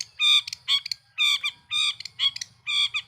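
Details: Long-tailed shrike lure song to provoke other shrikes: nasal, strongly harmonic grating notes, each followed by a quick clipped tail, given in pairs about every half second.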